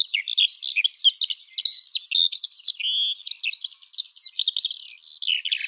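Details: Loud, nonstop song of a Eurasian skylark, dense high twittering and warbled phrases with a lower buzzy run midway, delivered without pause.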